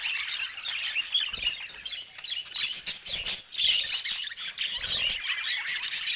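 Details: Several pet budgies talking and singing together, a constant stream of high, scratchy warbles, quick rising chirps and sharp tweets that swell and fade in loudness throughout.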